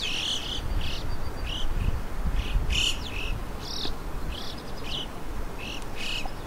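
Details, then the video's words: Chough calling in Morocco, a series of short, bright, ringing calls repeated roughly every half second, some doubled, over a steady low rumble of wind noise. "غراب الصرود Red & yellow chough"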